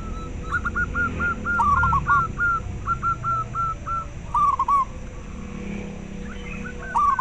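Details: Local zebra dove heard as a stimulus for breeding drive in captive doves and for luring. Quick rippling coos at a lively pace, often two birds overlapping, in clustered phrases with faint low rumble behind.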